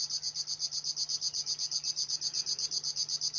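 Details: River warbler song: a steady, high, buzzy pulse train, each dry rasping stroke repeated about four times a second with machine-like regularity, over a faint low hum.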